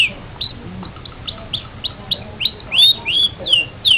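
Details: Long-tailed shrike song offered as a tutor recording: spaced, thin high notes that quicken and grow louder into ringing downslurred whistles near the end.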